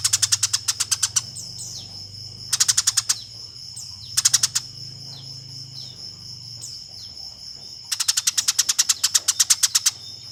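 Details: Eurasian tree sparrow fighting, recorded as training master audio for contest birds: four bursts of rapid harsh chirping, the last one longest, with thin faint down-slurred notes and a steady high whine in the gaps.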